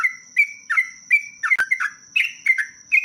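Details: Sooty-headed bulbul (trucuk) in its 'ropelan panjang' long song. Clear, slurred chirps rise then fall, spaced at under half-second intervals, with one sharp click midway and a steady high background tone.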